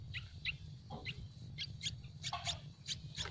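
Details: Baby Yellow-vented bulbuls in their nest on a tree beg hungrily with bursts of quick, high-pitched chirps, some close together in pairs, against a low droning background.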